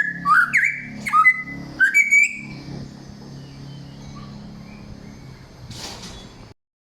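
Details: Samyong in forest, singing loud and clear: three swooping whistled phrases over the first two seconds, each sliding sharply up and down, then quiet hiss with a brief noisy burst near the end.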